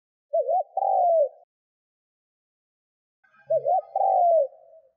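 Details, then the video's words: Spotted dove cooing meant to draw wild doves into calling quickly: two low phrases about three seconds apart, each a quick wavy trill then a sustained mellow coo, with a soft low knock before the second phrase. "Tiếng CHIM CU GÙ GÁY KÍCH BỔI NHANH GÁY"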